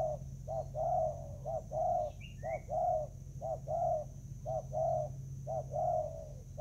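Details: Spotted dove in Vietnam, recorded on 24 July 2019 while birds fight over food: soft mellow cooing notes in a steady repeated pattern, about one per second, with a brief higher chirp from another bird and a constant high hum.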